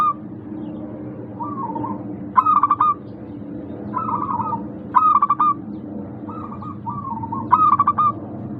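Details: Local zebra dove song used as a lure to stir lazy doves into singing: soft rolling coos near the same pitch, broken by loud stuttering pulsed bursts roughly every 2.5 seconds, over a low background hum.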